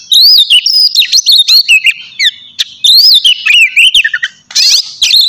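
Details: Loud, varied whistling of an Oriental magpie-robin (kacer), played in the morning to rouse a kept bird: bright upswept and twisting notes in short bursts, with a brief rasping buzz near the end.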